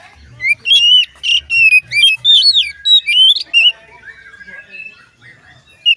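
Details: Oriental magpie-robin song, said to make other magpie-robins start singing when they hear it: a burst of loud, varied whistled and squeaky notes, some rising, some falling, delivered rapidly for about three seconds, then softer scattered warbles and a final sharp note.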